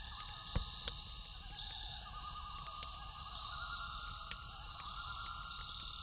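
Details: Loon calling at night with a soft, rapid, wavering tremolo held for several seconds, beneath a steady high insect hum and loud popping crackles from a campfire.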